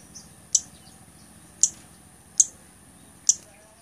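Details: Blood-breasted flowerpecker kept for tutoring and luring other birds, giving four separate sharp, very high clicking ticks spaced roughly a second apart, with a thin steady whine in the background.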